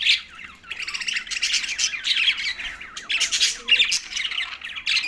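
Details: Green budgies chattering loudly and almost without a break: harsh, buzzy warbles and squawks in rapid, overlapping bursts, with one short pause early on.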